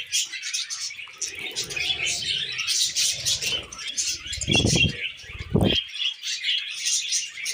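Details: Tamed pet budgerigars give a steady, excited twittering of high squeaky notes, broken by two short bursts of low rustling or flapping late in the sequence.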